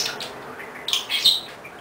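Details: Excited pet budgerigar chattering on its swing: a brief scratchy warble followed by two or three short bright chirps in quick succession.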